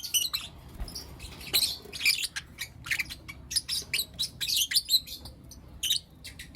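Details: Lovebirds of Blue Opaline and Lutino Opaline colouring chirping in the morning: a lively run of bright, piercing notes and brief scratchy calls, evenly spaced throughout, over a faint low hum.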